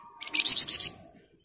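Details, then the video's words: Flamboyan bird in rapid ngebren song, kept as master recording for training other birds: a single short burst of four or five high, harsh chattering notes that rise quickly and fade out. "Burung Flamboyan Gacor Ngebren Rapat"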